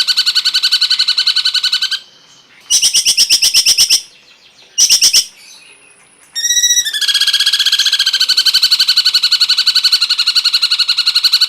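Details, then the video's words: Cungkok song on a songbird tutor recording: long, continuous, fast buzzy trills, broken by short pauses, with a sustained rattling trill through the second half. "masteran burung cungkok"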